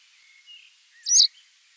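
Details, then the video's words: Masked wagtail (Motacilla personata) gives one sharp, high, buzzy call, preceded by a faint thin note, over soft background hiss. "Маскированная трясогузка, голос - Жылкычы чымчык"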